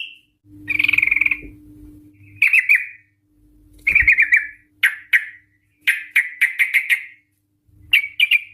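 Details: A female yellow-vented bulbul, used as a lure, gives scattered bursts of sharp chirps and short squeaky phrases with gaps between them, over a faint low hum.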